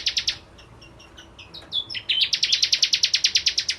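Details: Vigorous 'ciblek kristal' song of a bar-winged prinia: rapid ringing notes, then softer varied twittering chips and slurs, building into a fast, even stream of loud, clipped high notes about five per second.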